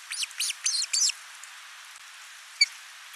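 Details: Osprey at a nest in Finland, 29 June 2024, as the father delivers a large live fish and the mother feeds the lone chick: four loud, sharp, whistled chirps in quick succession, then quiet hiss and one faint tick.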